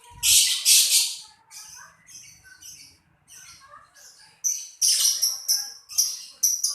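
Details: Lovebird calling with loud rasping screeches at the start, softer warbling notes in the middle, then a run of sharp high squeaky chirps.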